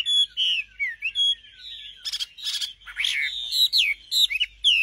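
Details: Singing nightingale: short whistled notes with pauses, then a denser burst of harsh, buzzy notes mixed with quick rising and falling whistles.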